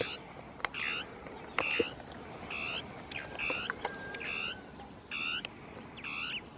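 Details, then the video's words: Northern tapaculo singing its territorial song from scrubland, two birds interacting: a steady series of short, buzzy, bouncing double-banded notes repeated about once per second, with a few faint clicks between. "CHURRIN DEL NORTE (Scytalopus fuscus) CANTANDO"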